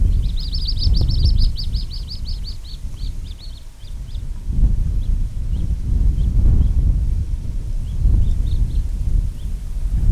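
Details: Two juvenile Little Grebes at Oare Marshes Nature Reserve call on their parent to be fed, recorded with a DJI Mic 2: a quick run of high, thin peeping notes, then scattered single peeps over heavy low wind rumble.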